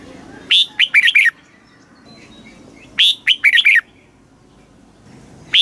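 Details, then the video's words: Red-whiskered bulbul song of the southern Thai master style, played to excite and teach caged birds and young birds: short bursts of four or five quick, bright warbled notes, each phrase repeated about every two and a half seconds. "เสียงนกกรงหัวจุก สำหรับต่อ หรือ เปิดให้นกคึก เสียงเพราะๆ"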